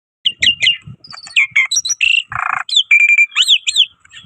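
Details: Black-winged myna singing loud and lively as a lure bird: a fast medley of sharp whistled chirps, up-and-down slurred notes and one harsh buzzy burst in the middle, with soft low knocks underneath.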